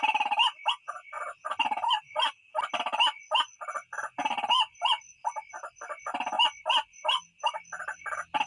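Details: White-breasted waterhen, a recording kept for luring birds at night: fast, irregular bursts of harsh croaking notes, several running together, over a constant high-pitched whine.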